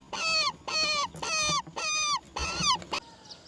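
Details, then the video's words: Roller chick begging while its mother brings black crickets to feed it: five loud, harsh, harmonic calls, each about half a second long and slightly falling at the end, repeated roughly every 0.6 seconds, then a faint thin note. "Mother bird roller brings black crickets for baby to eat"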